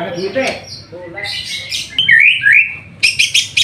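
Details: White-rumped shama singing hard during an afternoon bath: scattered soft chirps, then bright slurred whistles rising and falling, followed by harsh rattling bursts repeated in quick succession; faint low background rumble.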